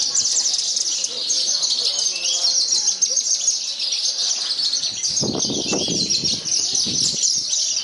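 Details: Javan bush lark of the parva type, singing in a contest in strong wind and winning first place. Dense, continuous high chirping and twittering, with a burst of low rumbling noise midway.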